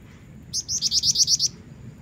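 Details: Female black-winged flycatcher-shrike in full voice as a male lure: eight crisp, high, evenly spaced notes delivered in about one second, over a soft low hum.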